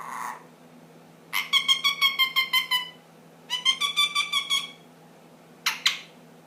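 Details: Indoor pet ring-necked parakeet, ten months old, making funny noises: two bursts of rapid pulsed, nasal chatter at about three pulses per second, then a brief double squeak.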